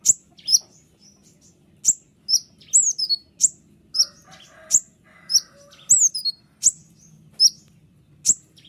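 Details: White-winged triller (konin sayap putih) song for tutoring cage birds; sharp high chips and short slurred whistles spaced about half a second to a second apart, with a faint low murmur in the middle.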